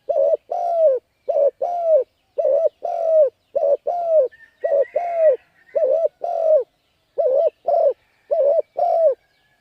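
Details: Spotted dove call used as a lure for wild birds, a long run of about ten paired coos, short note then falling longer coo, steady rhythm, brief high chirping from another bird midway.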